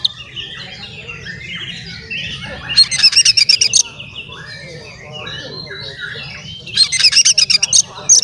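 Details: Singing male Oriental magpie-robin played to make other magpie-robins emotional and spread their tails; quiet varied twitters broken by two loud, rapid, harsh rattled bursts, with a low continuous hum underneath.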